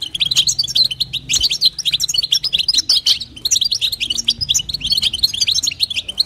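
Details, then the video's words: A female European goldfinch calls to stimulate the male with a steady stream of sharp, tinkling chirps and twittering trills, rapid and unbroken for several seconds, with a low steady hum in the background. "نداء انثى الحسون لتحفيز طائر الحسون"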